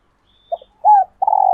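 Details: Spotted dove female in laying condition, calling to stimulate cocks: a short double note, a loud drawn-out coo, then a long even pulsed coo, low and resonant, with a faint high whistle early on.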